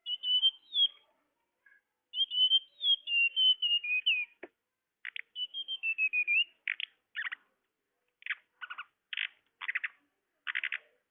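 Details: Tledekan lure recording: whistled descending phrases of sweet high notes give way to a series of separate harsh, buzzy rattles repeated about every half second.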